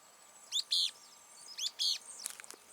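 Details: A Firewood-gatherer, heard singing but unseen on a countryside walk, gives two bursts of sharp, high, chattering notes about a second apart, then a few scattered chips, over faint background hiss.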